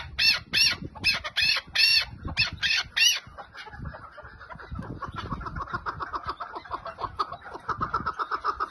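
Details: Chukar partridge in 'lal' style calling: about eight strong, ringing chuk notes in quick succession, followed by a quieter, rapid stutter of clipped notes over low rumbling background noise.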